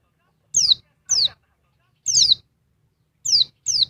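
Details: Calls of a noisy female oriental white-eye agitating the male: five high, sharp, downward-sweeping whistled notes at irregular intervals, one doubled, over faint low rustling.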